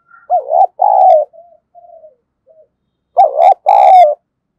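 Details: Decoy spotted dove cooing to attract wild doves: a loud deep double coo, a few soft low trailing notes, then a second strong double coo about three seconds later.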